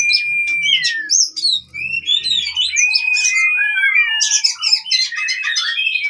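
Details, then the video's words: Oriental magpie-robin fighting song for birds that have stopped singing: long clear slurred whistles mixed with rapid high chips and chatter, with a faint low rumble early on. "KACER TARUNG COCOK UNTUK KACER MACET BUNYI"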